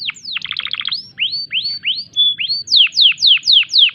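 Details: Breeding-condition canary song with a quick rattling trill, then rising slurred whistles, a brief pure tone, and a series of loud descending swept notes about four per second.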